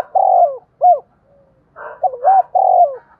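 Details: Spotted dove with a field-style ('giọng đồng') voice, used as a lure to attract and provoke wild local-voiced birds: loud, clear low coos, a drawn-out falling note flanked by short hooked notes, with a raspy burst between phrases.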